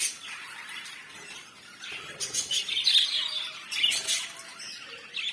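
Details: Lovebirds, African type, chattering loudly: harsh squawks mixed with high chirps in dense bursts, the flock noise swelling in waves and briefly easing between them.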